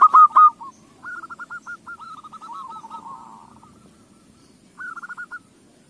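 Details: Zebra dove song used as a lure to prompt other doves to sing: a loud brief opening, then soft, quick, rolling coo phrases and a short trill after a pause.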